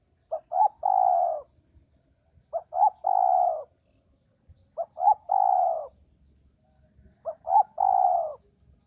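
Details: Male spotted dove cooing: four phrases, each two short clipped notes followed by a longer, drawn-out low coo, repeated roughly every two and a half seconds against a quiet background.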